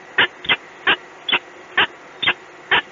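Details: Peregrine falcon recorded in Gdynia, giving a series of seven short, harsh, clipped calls at roughly half-second intervals, each burst rasping and fairly high-pitched, against a quiet steady background hum.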